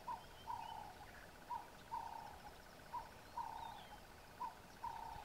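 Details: Burchell's coucal near Satara Rest Camp, Kruger National Park, giving low hollow notes in pairs, a short hoot followed by a longer drawn-out note, repeated about once a second, over a steady pulsed background trill and faint high whistles of other birds.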